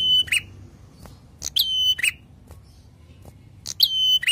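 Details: Prinia singing vigorously in the drawn-out 'ngalun' style: three phrases, each a sharp high burst, then a long steady whistle, then a lower slurred note, separated by quiet pauses.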